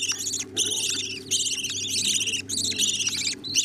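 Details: Budgerigar chicks being fed by their parents: dense bursts of harsh, rasping, high-pitched begging cries with wavering tones, about 80 per minute, separated by short pauses, over a steady low hum.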